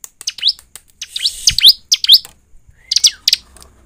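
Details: Ciblek, the bar-winged prinia, in a lure meant to make it sing: quick high chirps with rising slurs in uneven clusters, a faint low rumble underneath and a soft arched whistle near the end.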